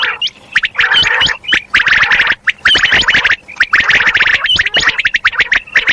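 Common quail, a female calling: dense bursts of rapid, rattling clicks mixed with short, squeaky whistled chirps, repeated in near-continuous runs with brief pauses.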